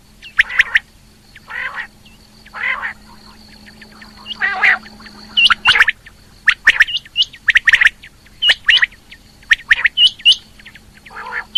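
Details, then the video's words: Calls of a female rain quail, 2020: sharp clipped notes in uneven bursts mixed with harsher, buzzy lower calls, over a steady background hum. "Female Quail Calling | Rain Quail Calling 2020 | Batair Ki Awaz"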